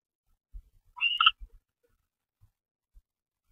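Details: Barn owl at a nest box delivering a mouse, recorded live at 10:46 PM on 25 February 2013; one brief squeaky, twittering call rising then holding steady, with soft thumps and bumps of movement before and after.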